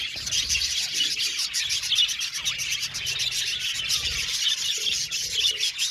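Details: Many Australian budgies chattering in an aviary colony: busy, high, warbled chirps and short tweets overlapping continuously, with faint soft low bumps in the background.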